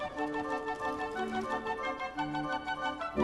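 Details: Soft orchestral music with sustained organ-like and flute-like tones, and no animal sounds.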